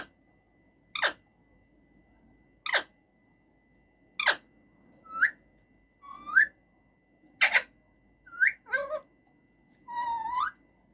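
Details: Male rose-ringed parakeet in a cage alternating sharp clicks every second or two with short rising whistles and wavering notes, ending in a longer curving whistle.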